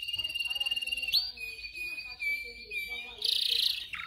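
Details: Canary song for training singers: a rapid rattling roll, then long level whistled notes with soft lower tones beneath, closing with a burst of harsh, noisy high chatter.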